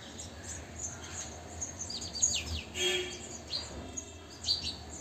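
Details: Sparrow parents feeding their three-day-old chicks insects in a bird house used for a fourth brood: sharp descending chirps from the adults mixed with very high, thin chick peeps, irregular and loud in bursts, over low rumbling noise.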